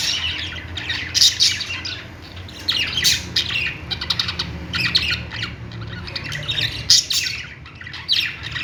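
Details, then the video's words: Pet budgerigars chattering and singing: sharp squawks and rasping chirps in clusters, some notes piercing and loud, with a steady low hum behind. "Singing budgie | budgies sounds"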